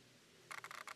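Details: A cactus wren exiting its nest at Red Rock Canyon NCA, Las Vegas, Nevada, gives four quick, harsh, grating rasps in half a second after a brief quiet pause, with a faint low hum underneath.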